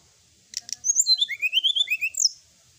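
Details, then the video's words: Sooty-headed bulbul in energetic 'gacor full isian' night song: two scratchy clicks open a quick cascade of bright slurred whistles stepping down in pitch, finished by a short rising squeak. "srdc gacor full isian ,masteran srdc malam hari"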